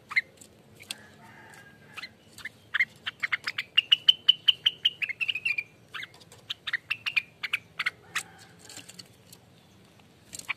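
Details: Rengganis in full ropelan song, said to be noisy and non-stop, used as lure and tutor material: scattered chips build into a rapid, rising run of ringing notes, then break into varied chattering phrases and sharp clicks over a low hum.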